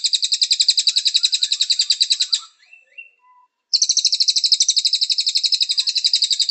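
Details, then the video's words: A cililin sings a fast, high, metallic trill of rapid, evenly spaced notes in two long bursts with a brief pause between, a recording used as a master song for training. "SUARA BURUNG - Masteran Terbaik Cililin"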